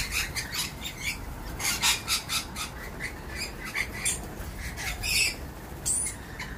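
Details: Lorikeets at dawn give harsh, screechy squawks in quick irregular bursts, high and broadband, with a low background rumble throughout.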